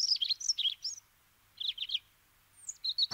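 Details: Eurasian treecreeper calling in short bursts of thin, high-pitched, slightly buzzy notes. Quick clusters of three or four notes come about a second apart, and a final high slurred note and a repeated thin note close the sequence. Little other sound.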